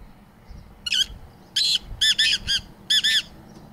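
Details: Pair of Black Francolins: harsh, grating, clipped notes in a rhythmic phrase of about six bursts over three seconds, with faint low rumble behind.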